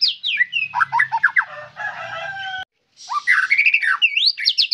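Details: White-rumped shama pours out a varied, energetic song of scratchy squawks, upward sweeps and twittering notes, broken by a brief silence before resuming with sharp, rising whistles.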